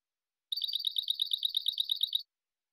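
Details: Silvestrismo goldfinch recording: a steady, quick series of sharp, clear notes, roughly eight per second, running for nearly two seconds, clean and without background.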